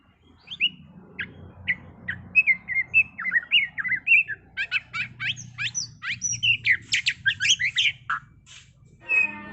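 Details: White-rumped shama (murai batu) singing a trontolan ngerol style song: varied whistled and slurred notes, then a rapid rolling run of sharp, rising and falling notes from about six seconds, with a low background hum.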